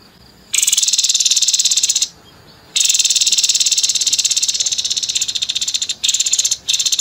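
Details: Grey-headed babbler with harsh 'nembak kasar' song, used as a tutor track for competition birds: long, loud, buzzy pulsed rattles of several seconds, broken by brief gaps, the pulses coming very fast and evenly.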